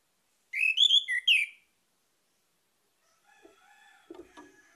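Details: Orange-headed thrush singing a lure song to stimulate other birds: about one second of fast, loud whistled notes with looping slurs, followed by quiet faint tones and soft low taps.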